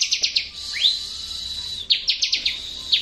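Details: Bar-winged prinia song used to prompt silent birds to answer: quick bursts of four or five high, buzzy chipping notes, then a rising upslurred note, a thin sustained high tone, and more rapid chip series.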